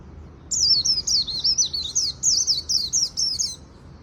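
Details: A continuous three-second run of sharp, very high, rapidly rising and falling twitters from a Japanese white-eye singing its 'líu' song in the afternoon.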